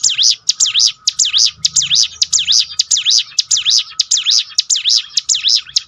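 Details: Bar-winged prinia song for strengthening a bird's mental toughness: steady, loud series of high, sharp dipping chirps, about two per second, evenly spaced throughout.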